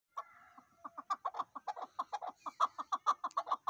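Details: Chukar partridge giving a rapid series of harsh, clucking chuk notes, about two per second and speeding up, mid-pitched and rather irregular, with a few softer lower notes at the start.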